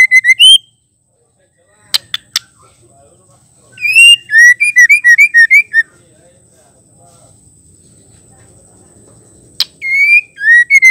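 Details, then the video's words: Female white-rumped shama calling to stir males into singing and aggression: loud whistled phrases of rising and falling notes near the middle register, in bursts separated by silence, with a few sharp clicks in between. "Murai batu betina gacor ampuh bikin jantan emosi"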